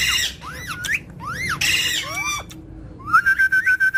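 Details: Talkative parrot giving a fast run of loud harmonic squawks and rising-then-falling whistled sweeps, then a brief pause and a rapid series of short, level, bright whistled notes, about six within one second.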